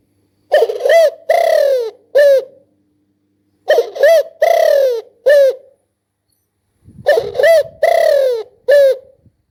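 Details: Spotted dove giving three-note cooing phrases: a short coo, a long drawn coo, then a brief rising note. The phrase is repeated three times about every three seconds, with faint low rumbling beneath the last.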